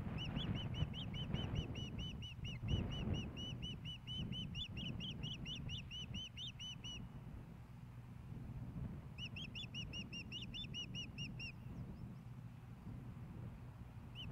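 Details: Ospreys at the Hellgate Canyon nest in Missoula, Montana, May 15, 2016, as a male delivers a fish to the female; rapid series of high whistled chirps, a pause, then a shorter burst, over constant low rumble.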